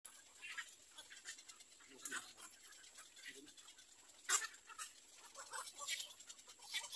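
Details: Little egret (Egretta garzetta) chicks in a nest, waiting for their mother, give harsh, rasping, hissy begging bursts at irregular intervals, a few a second at most, against a steady high hiss.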